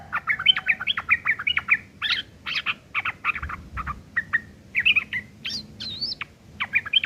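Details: Rough chattering ngeriwik kasar of a yellow-vented bulbul, kept as learning material for long-tailed shrikes; fast, busy scratchy chirps and twitters packed together, with a brief rising whistle near the end.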